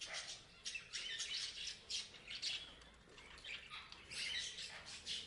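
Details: Parrots chattering with a steady flow of thin, high, scratchy chirps and squawks, nearly unbroken, with small peaks roughly every half second.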